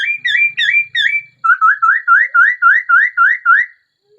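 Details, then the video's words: Laughingthrush song of rapid repeated rising whistled notes, about four per second, first in a higher doubled series, then a steady string of ten upslurred phrases. "Tiếng chim khướu hót hay nhất"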